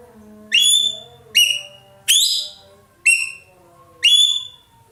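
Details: Ekek keling, the racket-tailed treepie, an Indonesian favourite for tutoring songbirds, repeating loud, metallic, rich-toned falling notes five times, about once every 0.8 seconds, with a faint low background drone.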